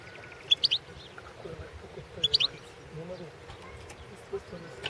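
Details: Competition singing by a European goldfinch at the 2016 world goldfinch song championship: two quick bright chirped phrases about two seconds apart, each a tight cluster of high twitters, with faint background hum between.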